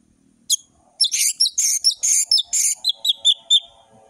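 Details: Orange-headed thrush in varied ngeplong song for tutoring young birds: one sharp note, then a rapid series of buzzy, scratchy chattering notes, turning into short clear whistles that step downward at the end.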